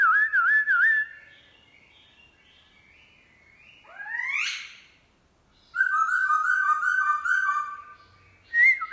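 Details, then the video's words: Wild-caught black-throated laughingthrush kept as a cage bird, singing in forest-voice style in the morning: loud, clear whistled phrases with wavy warbles, a sharp upswept note, then rapid rippling trills, separated by short pauses. "Khướu mun bổi hót giọng rừng cực phê . vào buổi sáng"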